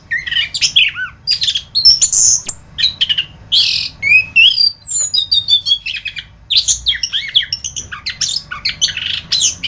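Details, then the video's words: Masteran recording of an orange-headed thrush in full song, pouring out dense bursts of shrill whistles, trills and rising-falling notes, nearly continuous, over a quiet low background hum. "Masteran Burung Anis kembang"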